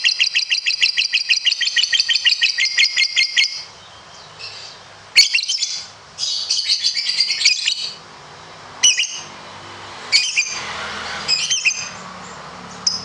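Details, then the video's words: Lovebird in competition-style ngekek panjang: a long, rapid pulsing trill of harsh high notes for over three seconds, then broken scratchy chatter bursts with pauses. "Masteran Loveberd Ngekek panjang"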